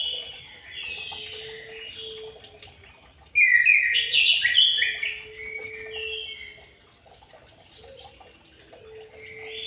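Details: Caged white-rumped shama in an aviary delivers a burst of loud, varied fluting whistles and trills after softer warbling. A faint steady whistled tone from another bird persists in the background.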